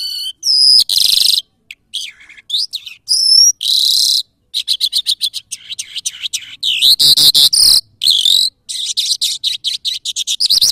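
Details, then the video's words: Lark, called jal in Afghan and Iranian usage, singing in the Mashadi style: a loud, rapid, varied run of high whistled notes, buzzy bursts, trills and short chirps, with brief pauses between phrases. "Lunda Larks Mashadi Jal Singing afghani jal Singing Irani jal Agan Mashadi, صدای آگن مشهدی"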